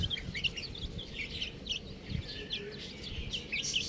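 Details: A crowd of buff chicks peeping steadily, clear high chirps, many sharply falling, crowding each other over soft background rustle.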